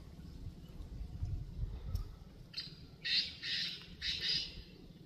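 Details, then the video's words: Black francolin heard after low rumbling noise: a faint opening note, then loud harsh rasping notes in a doubled pattern, grating and strong. "Jangli Kala Teeter Ki Awaz"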